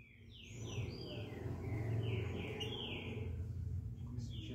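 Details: Green-winged saltator singing a smooth 'canto liso' style song of loud, slurred, descending whistled phrases repeated in quick succession, with a low rumbling hum underneath.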